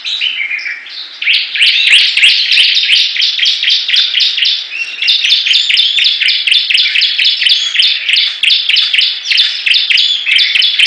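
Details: Competing Bar-winged prinias, known locally as ciblek, in a 'gacor' song battle: long runs of sharp, high chirps repeated several times a second. A brief lower, warbled opening gives way to steady, crowded trilling throughout.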